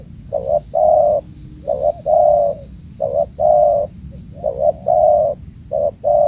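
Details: Booming-voiced wild spotted dove, caught quickly at a previously used place. It repeats a cooing phrase four times: a brief broken double coo, then a long even coo, with pauses between phrases and a quiet noisy background.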